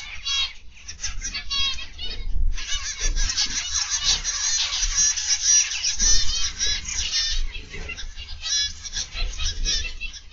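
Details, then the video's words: Zebra finches chattering in an aviary on 31 August 2021, PM: a few nasal beeps, a short pause, then a sustained busy chorus of harmonic, trumpet-like calls over faint low hum. "Zebra Finch Aviary Live"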